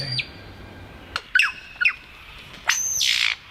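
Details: A male Superb Lyrebird, singing while flitting between trees, gives loud, sharp whip-like notes that sweep down, a few short squawks, then a harsh rasping burst lasting about half a second.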